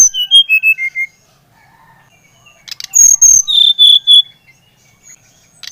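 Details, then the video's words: Brown-chested jungle flycatcher song for stimulating another bird to sing: a quick descending whistle run, a silence, then sustained high whistles dropping to a lower buzzy-edged series. "Kicauan SRDC Bali Gacor Merangsang srdc Bahan agar cepat Ngeplong Gacor"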